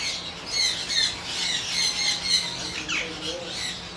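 Harsh, raspy squawks from a yellow-crested cockatoo, several in quick succession at a fairly high pitch, over a low steady hum and faint room noise.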